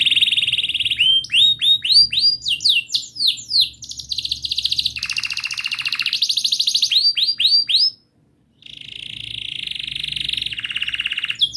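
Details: Canary song, played to coax a stalled canary into singing: long rolling phrases of rapid repeated chirps, sweeping notes and fast buzzy trills, high and bright, with a brief pause near the end before trilling resumes.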